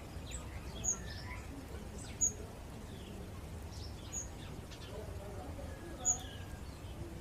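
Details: In the morning, an orange-breasted bunting gives four thin, very high chips spaced a second or two apart, with faint softer bird notes and a steady low rumble beneath.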